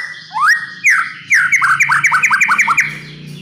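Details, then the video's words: Oriental magpie-robin song from a murai batu training and lure recording; rising whistled sweeps followed by a fast series of about ten descending slurred notes. "PANCINGAN & MASTERAN,,MURAI BATU BAHAN AGAR JADI BUNYI GACOR PLONG"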